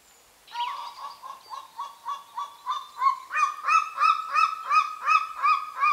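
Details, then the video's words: Golden eagle calling near its nest in remote parts of the Carpathian mountains, Northern Romania; a rapid series of short yelping notes, about three per second, rising in loudness and pitch, repeated in a steady rhythm. "The amazing calls of the Golden eagle - Aquila chrysaetos"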